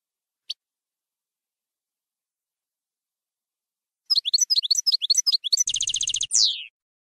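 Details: Campero-style European goldfinch song: after a long quiet start, a quick run of high twittering notes, then a rapid buzzy trill and a falling slurred note to finish.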